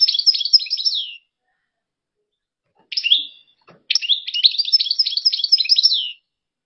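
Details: European goldfinch in song: a dense one-second burst of rapid, jangling twitters, silence, a brief fragment, then a longer three-second run of fast tinkling and buzzy notes that trails off on a falling note; no other sounds.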